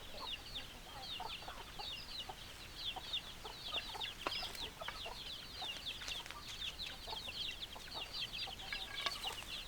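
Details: Many chickens clucking together, hens and roosters in a crowded flock, a steady stream of short high chattering notes with occasional sharper clicks and knocks.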